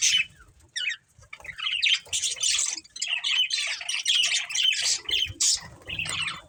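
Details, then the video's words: Chattering budgerigars from a breeding pair, starting with a few isolated chirps, then building into a steady, rapid, twittering warble. "Cute Budgies Chirping Sounds | Love Birds Breeding Pair"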